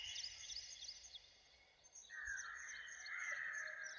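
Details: Mixed birds singing in the morning in woods near a village, recorded on location without loops: dense high chirping and twittering throughout, then a sustained mid-pitched warbling phrase joining from the second half over faint low rumble.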